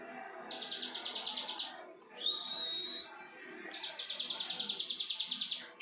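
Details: Spirited plain prinia song: two bursts of fast, buzzy, pulsed notes separated by a single thin, rising whistle, over a quiet background.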